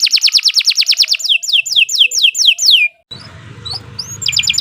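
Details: Canary master song meant for other birds to learn: a fast series of steeply falling whistled notes, then a sudden break to low background noise before a short high trill resumes.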